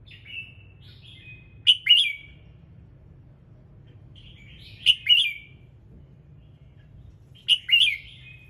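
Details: Morning song of a red-whiskered bulbul, played to prompt other birds to sing: short phrases of bright chirping whistles repeated about every three seconds, each opening with a soft thin whistle, against low background hum.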